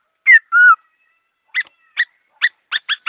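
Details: Laughingthrush song, clear and quick: a sharp whistle and a level held note, a pause, then a run of short harsh two-toned notes speeding up toward the end.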